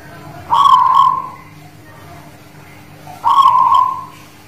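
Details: Zebra dove of the Guling Murio line from the Muria mountains near Kudus, Indonesia, singing (manggung): two rich, steady cooing notes about half a second long, spaced nearly three seconds apart, over a faint constant hum.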